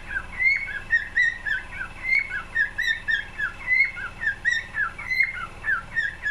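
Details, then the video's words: Cockatiel singing a warbling run of whistled notes near the same pitch, each bending up or down, pulsing several times a second, over a faint low background hum. "Best Cockatiel singing"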